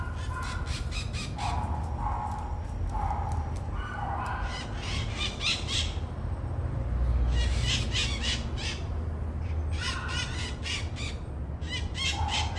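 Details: Scaly-headed parrot uttering clusters of rough, screechy squawks, several in rapid runs with pauses between groups, over continuous low rumbling noise.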